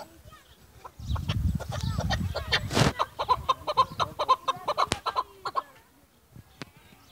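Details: Chukar partridge, a bird of Pakistan's mountainous areas, giving a steady series of short, sharp clucking notes about twice a second. A burst of broadband noise comes before it, and the calls fade out near the end.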